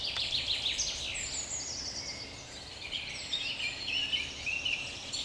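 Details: A common chaffinch sings bright, descending trilled phrases amid a busy woodland chorus of other birds in a forest on 30 May 2021, with two wild boar present.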